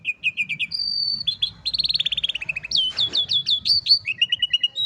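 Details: Canary song used for training young canaries: rapid repeated trills at several pitches, sliding from one tour to the next, with short upward-swept notes and brief steady whistled tones, continuous throughout.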